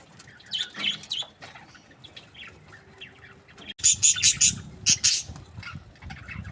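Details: Breeding pairs of budgerigars, described as happy, chirp softly before a loud run of sharp, high squawky notes in quick succession, then quieter warbling chatter resumes.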